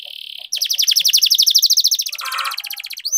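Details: Caged canary trained to prompt other canaries to sing, delivering a loud rolling trill of rapid repeated notes, about twelve per second, descending slightly, after a brief steady high tone, ending in a rough buzzy phrase.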